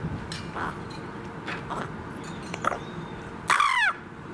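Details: A rook outside the café at Slimbridge WWT gives a single harsh, grating caw near the end, after some faint scattered sounds over a steady background murmur.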